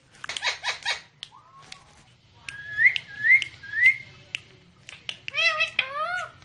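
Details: Talking parrot giving a mix of speech-like harmonic phrases and clear whistles: a low slurred note, three rising whistled swoops around the middle, then a burst of stacked, voice-like syllables at the end.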